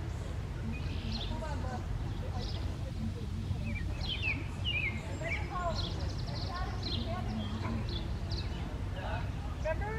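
Purple martins chatter with many overlapping gurgling, chirping notes rising and falling throughout, over a steady low rumble of wind or traffic.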